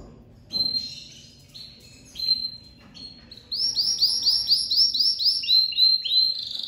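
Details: Domestic canary, a crested lavandeira, singing very strongly as it comes out of moult: steady whistled tones, then a fast run of about a dozen bright repeated notes, several per second, with high overtones.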